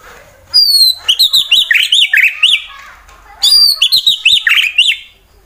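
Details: Fighter white-rumped shama from Wonosobo, Central Java, Indonesia, singing to provoke rival birds: two loud bursts of rapid looping whistled notes, each opening with a high thin whistle, separated by a short pause.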